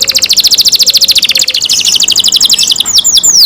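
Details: Pet canary in song, opening with a long, rapid, even trill of high ticking notes that shifts to a second faster trill, ending with several sharp down-slurred whistles.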